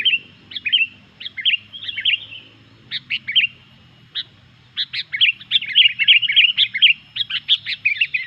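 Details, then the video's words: Noisy, energetic Sooty-headed bulbul song that sets off other bulbuls: scattered slurred phrases at first, a short lull, then a fast tumbling stream of crisp, chattering notes that grows denser to the end. "SUARA BURUNG KUTILANG GACOR INI BIKIN EMOSI BURUNG KUTILANG LAIN"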